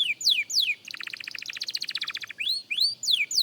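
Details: Young canary practising its song: two steeply descending whistled sweeps, then a rapid, even trill of about twenty high pulses lasting over a second, closing with rising and falling slurred notes.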